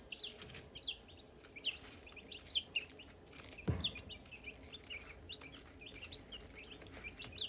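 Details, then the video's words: Group of Silkie chicks near hatching eggs, steady shrill peeping with curved sliding notes in quick runs, a brief dull thump midway, and low background hum. "Silkie chicks chirping, Hatching eggs chirping sounds"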